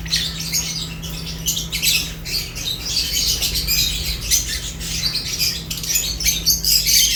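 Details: Lovebirds chirp while eating, a steady rush of scratchy, high squawks and chirps from several birds, growing slightly louder toward the end, over a low hum.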